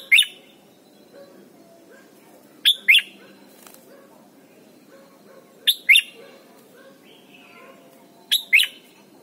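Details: Thai Red-whiskered bulbul song used for teaching young birds: brief, bright double chirps repeated about every three seconds against a soft, steady background hiss.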